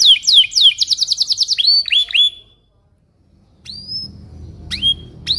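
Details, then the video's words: Belgian canary in morning song used to lure young canaries into learning: quick series of slurred descending notes and rising whistles, a pause of silence, then scattered sharp high whistles over low background hum. "Kenari gacor Cuit cuit NGEROL di pagi hari, Ampuh untuk Pancingan kenari paud belajar Bunyi"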